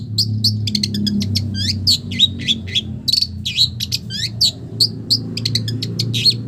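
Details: Long-tailed shrike singing a song filled with imitations of village birds: a fast, varied run of high chirps, sharp downslurred whistles and short trills, with a low steady hum underneath.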